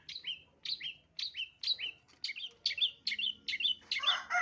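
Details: Long-tailed shrike call used to lure birds: paired chirps, a sharp high note dropping to a lower burred note, repeated about every half second, growing denser and louder toward the end over a quiet background hum.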